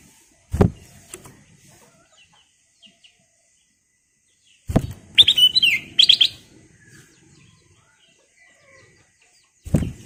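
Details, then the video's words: Ruby-throated bulbul (kutilang emas) in energetic song: two rapid clusters of clear, liquid whistled notes falling in pitch, set between dull thumping knocks. "KICAU BURUNG KUTILANG EMAS GACOR/ Pancingan Kutilang Emas Gacor full isian"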